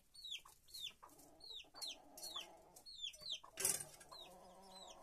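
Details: Chickens in a henhouse peep in pairs of high, downward-swooping notes about every half second, over soft low clucking, with one sudden rustling burst partway through.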